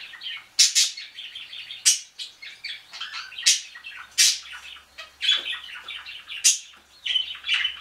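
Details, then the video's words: Caged canary begging food from a budgie indoors: rapid, busy chirping and squeaky twittering, with sharp high bursts about every second between softer chatter, continuing throughout. "Canary begging food from budgie"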